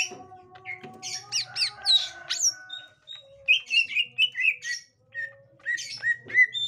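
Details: Green leafbird of the gotri variety encountering a young wild bird, with quick downslurred chirps, scattered whistles and short bursts of notes separated by brief pauses, faint low hum behind.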